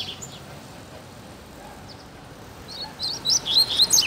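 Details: Neighbourhood double-collared seedeater, living wild, breaks a quiet stretch near the end with a brisk series of high, thin, twittering notes against soft ambient hum.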